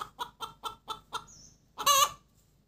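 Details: Hen after laying an egg, cackling cục tác: five evenly spaced short clucks, a brief lull, then one loud harsh drawn squawk to close.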